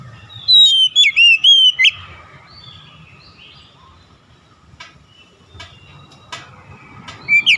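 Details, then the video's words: Oriental magpie-robin, song as fast therapy for a stressed bird: one loud phrase of quick whistled, sliding notes, then faint clicks and soft twittering, closing with a single bright note. "TERAPI CEPAT PEMULIHAN KACER SETRES LANGSUNG GACOR"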